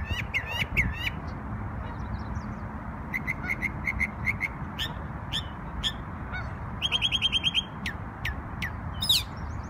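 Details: On Memorial Day in New York a bird sings varied phrases: chattering trills, stuttered series of clipped notes, a fast rattling run and sharp rising whistles, with faint low rumble behind.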